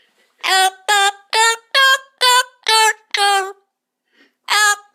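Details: A Panama amazon parrot sings a run of seven loud, harmonic, voice-like notes about half a second apart, then one more after a short pause, sounding like a person singing.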